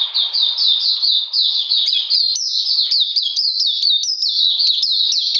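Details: Oriental magpie-robin song recorded 13 June 2020 during cold rainy weather: steady, unbroken series of sharp down-slurred whistles, rapidly repeated with slight changes in pitch and occasional higher accented notes.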